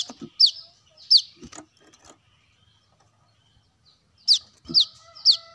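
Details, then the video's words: Brown-throated sunbird, played to attract birds: two sharp falling notes, a quiet gap of about two seconds, then a quick burst of three more high, downslurred notes. "Kolibri kelapa | kolibri manggar | wiceh | suara pancingan burung korlap"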